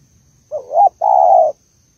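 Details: Malaysian female spotted dove calling to stimulate the male: a rising, slurred two-note coo followed by one long, steady, throaty coo, then silence, over a faint high whine.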